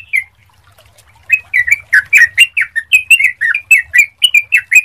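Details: Yellow-vented bulbul, a clear lure song to make others sing: one opening note, a second of quiet, then a brisk run of bubbly, warbling chirps about four per second.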